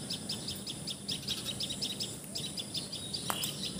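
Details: Common tailorbird, known in Assamese as patxhia sorai or tiposi sorai, calling in Assam, India: a fast series of sharp, high chirps repeated about three to four times a second, over a low background hum.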